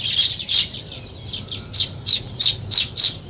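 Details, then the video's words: Weaver birds building a nest give sharp, harsh chirps repeated about three times a second in uneven bursts, over a quieter background twitter. "Natural Sparrow Chirping Sounds | Weaver Birds Building Nest"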